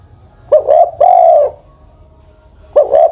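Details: Cooing of an old Spotted dove aged more than ten years, used as a decoy bird: a clipped double note leading into a long, even, mellow coo, then a pause before the phrase starts again.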